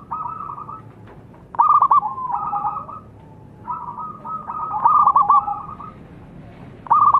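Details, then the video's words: A zebra dove sings a lure song of soft, bubbling coos broken by quick stuttering trills, with a new phrase every few seconds over a low background hum. "SUARA PERKUTUT GACOR"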